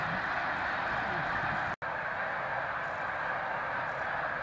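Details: Snow geese massed at Middle Creek, Lancaster County, Pennsylvania, on spring migration between mid-February and mid-March; steady roar of countless overlapping honks, broken by a brief cut to silence partway through.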